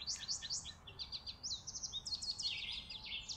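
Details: Winter chickadees at a porch feeding spot in December 2022 give a fast stream of thin, high chirps and quick downslurred notes, tightly packed and continuous.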